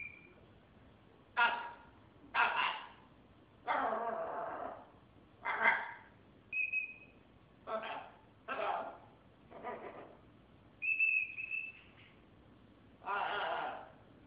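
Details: Pet military macaw producing a string of raspy, word-like utterances, with a couple of short clear whistled notes mixed between the gravelly syllables over about fourteen seconds.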